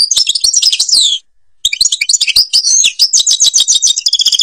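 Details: Babas forest style song of a European goldfinch from Algeria: high, tinkling, fast jumbled phrases with descending slurs, a brief break, then a long unbroken run of chattering trills.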